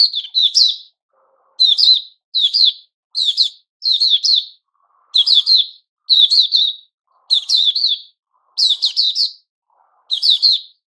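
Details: Kept white-crowned shama growing new feathers, recorded 6 September 2021; bright, chirpy high phrases of quick twittering notes, delivered in short bursts roughly once a second with brief silences between.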